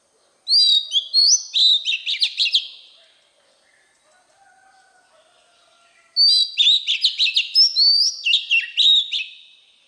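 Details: Oriental magpie-robin in wild voice, sung to stimulate newly caught birds: two bursts of bright whistles and quick descending chirps separated by a few seconds of near silence with a faint low hum.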